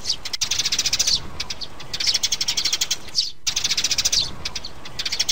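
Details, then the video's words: Trap lure of a mother sparrow and chicks: dense, fast high chirping in three chattering bursts, each lasting about a second, with short quiet breaks between them. "Tiếng bẫy chim sẻ Sẻ mẹ, sẻ con"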